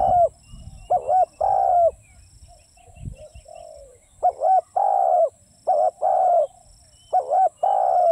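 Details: Spotted dove giving loud repeated cooing phrases, each a quick double note followed by a longer low coo, roughly every second and a half, with a thin steady high whine behind.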